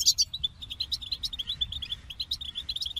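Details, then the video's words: Goldfinch song opening with a bright tinkling burst, then a run of evenly spaced, liquid high chirps, over a soft low hum. "The Captivating Call of Goldfinches"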